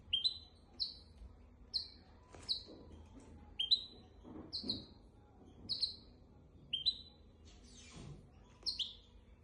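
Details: Goldfinch x canary hybrid giving a tutor song meant for teaching goldfinches and canaries: short, high, clear downslurred whistled notes repeated about once a second, with soft clicks and rustling knocks in the background.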